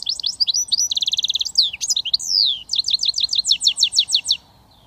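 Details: Singing goldfinch mule hybrid, a British finch: continuous high, rapid twittering song mixing slurred whistles, a fast rattling trill and a run of evenly repeated chirping notes about four per second; low background hum.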